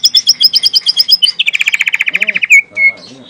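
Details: Young forest white-rumped shama (murai batu), wild, giving natural tembakan song: a fast high series of repeated notes shifting into a quicker, slightly lower rattling volley, then two drawn-out whistles, with faint low background sounds.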